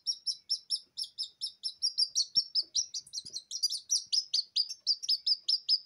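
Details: Just-hatched Silkie Serama chicks crying for warmth without a mother hen: evenly spaced shrill peeps, each sliding downward, growing quicker and overlapping toward the end, with a couple of faint taps.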